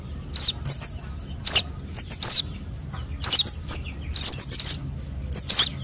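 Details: Sunbird chicks' calls used as a lure to trap birds: sharp, very high chirps with quick up-down inflections, given singly or in tight bursts of two to four, spaced roughly every half-second to second.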